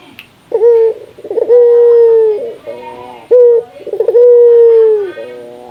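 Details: Barbary dove, a local Indonesian bird, calling to stimulate other doves. Two phrases, each a short rising note and a rolling burst followed by a long, steady, slightly falling coo.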